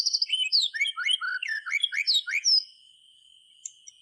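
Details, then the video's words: White-rumped shama song meant to prompt silent shamas to sing: varied whistled and slurred notes jumping between low and high pitches for about two and a half seconds, over a steady high electronic tone, then near silence. "SUARA BURUNG MURAY TERGACOR COCOK UNTUK PANCINGAN MASTERAN"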